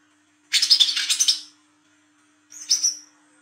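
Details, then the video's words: Olive-backed sunbird singing at night as a lure for young birds: a loud buzzy rattle of quick pulses lasting about a second, then a short high thin whistle. "KOLIBRI KELAPA WICEH TROTOL GACOR NGRIWIK NGLAGU MENTAL JAHAT/PANCINGAN KOLAP"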